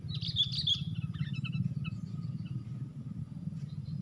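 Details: Fighting sooty-headed bulbul, one against four, during trapping: an opening burst of shrill, squeaky chirps, then a few scattered short notes that fade away, over heavy low rumbling noise.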